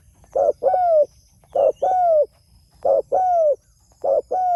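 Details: Spotted dove calling out to its companions with loud, low coos, a short note then a longer drawn-out downslurred coo, the two-part phrase repeated about four times in quick succession.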